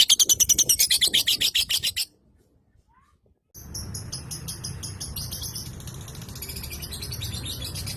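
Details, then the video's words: Lovebird in fast, high, rattling chatter for two seconds, a short silence, then a fainter, quicker chatter over low background hum. "aksi suara burung Lovebird"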